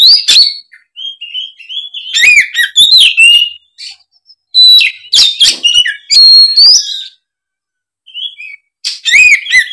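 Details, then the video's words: Oriental magpie-robin song, a varied run of loud whistled phrases, sharp chirps and rapid trills around the upper-middle register, delivered in bursts separated by short pauses. "suara kacer gacor ngeplong"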